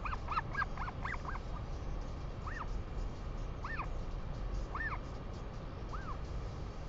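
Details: Northern Royal Albatross parents with their chick at a nest at Pukekura/Taiaroa Head, New Zealand, during the 2019/2020 breeding season give short, arched, nasal calls, first in a quick cluster and then about a second apart, over a steady roar of wind.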